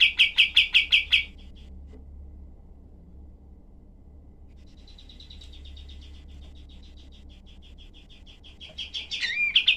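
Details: Kapas tembak, the cream-vented bulbul, in a tutor recording with rough, rapid 'tembakan' bursts. A loud machine-gun series of harsh notes opens, then a long faint trill, then louder notes and a rising whistle return at the close.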